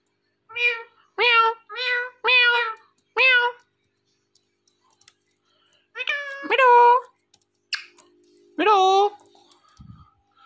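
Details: Talking Indian ringneck parrot kept as a pet repeats a voiced, meow-like word four times in quick succession, then after a pause gives three more drawn-out, nasal meow-like calls in a quiet room.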